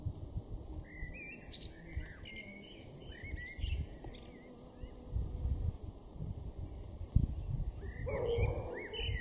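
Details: A male common blackbird (Turdus merula) in a garden in Norden, East Frisia, northwest Germany, in May 2024, sings mellow, fluted phrases ending in thin, squeaky twitters, with a pause before a final phrase, over a steady low rumble.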